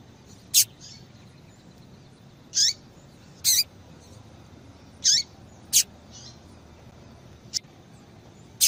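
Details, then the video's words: Female double-collared seedeater calls for firing up males to sing: around nine short, high, sharp notes, several dropping quickly in pitch, spaced irregularly at roughly one-second intervals over faint hiss. "Piado de Fêmea de Coleiro para Esquentar Coleiro tui tui"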